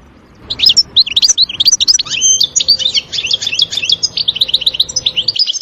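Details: Wild European goldfinch in a forest, pouring out a rambling twittering song of chattering chirps, liquid slurs and brief buzzes over faint background noise.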